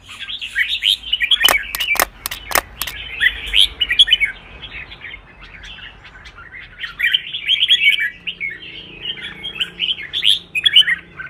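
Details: Red-whiskered bulbul trained for contest singing, worked up and singing busily: continuous rich chattering whistles, with a few sharp clicks or taps early on and a quieter gap midway.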